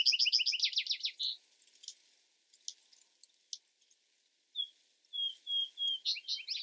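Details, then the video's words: Vesper sparrow singing a fast, bright trill that ends abruptly, followed by faint clicks and a few thin slurred notes leading into another quick trill. "Vesper Sparrow Bird Sound Bird Song"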